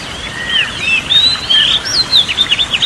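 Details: Oriental magpie-robin (kacer) song, played as relaxation therapy for a stressed bird or one reluctant to sing. Varied whistled phrases slur up and down, then quicken into rapid chirpy notes toward the end, over faint background hiss.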